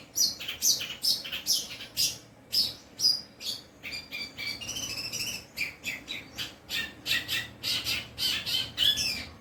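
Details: Captive long-tailed shrike singing in a mimicking style that copies other birds. Harsh, buzzy squawking notes come in quick bursts, roughly two per second, with short scratchy chatters between them, in a quiet room.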